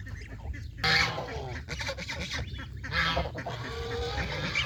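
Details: Geese on a small countryside farm, fed fresh grass near the pond, make loud, raucous honking bursts mixed with broadband noise and general farmyard clatter.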